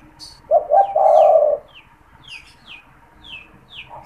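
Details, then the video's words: Captive spotted dove used to stimulate and lure wild doves: one low three-part coo ending in a long hum, followed by a run of thin, high, downslurred chirps from other birds repeated roughly every half second. "SUARA PANGGILAN DAN PANCINGAN TEKUKUR TERBARU | TEKUKUR GACOR BAGUS BUAT PIKAT"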